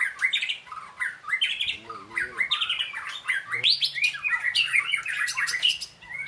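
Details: Training-session white-rumped shama in energetic song: varied, choppy phrases of mid-pitched whistles and harsh squawky notes, irregularly spaced, with a brief low buzzy sound and a steady background hum partway through.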